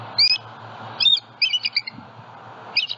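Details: Bald eagles at a live-camera nest in Southwest Florida, 27 February 2020 morning, eggs and eaglets present, juvenile flying over. Sharp, squealing chatter notes in quick clusters, loud and high, with short gaps between groups.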